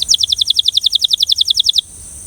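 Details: Belgian canary delivering a steady, rhythmic trill of about fifteen sharp, high, down-slurred notes, evenly spaced, then stopping abruptly into quiet.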